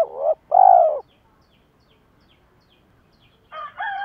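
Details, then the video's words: Spotted dove, male and female, used as a decoy to stir up other doves for training: two low hooting coos in quick succession, then a brief harsher tonal sound after a pause. "cu gáy kích bổi và tập mồi hiệu quả hàng ngày"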